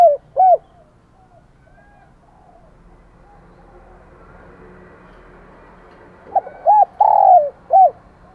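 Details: Spotted dove kept as a decoy, cooing to call in wild doves: two low, hollow coo notes open, then a long quiet stretch with faint background rumble, before a burst of four mellow coos with a longer, drawn-out middle note.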